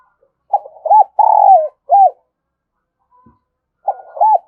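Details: Spotted dove calls played as a decoy lure to attract doves: two cooing phrases, each of low arched hoots and a long buzzy purring coo that slides down at its end, with a pause of about two seconds between them.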